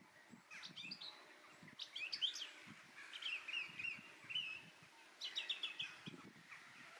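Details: Common shelduck ducklings at Llanelli Wetlands give high, thin peeping calls in quick overlapping bursts, with soft low bumps and rustling underneath.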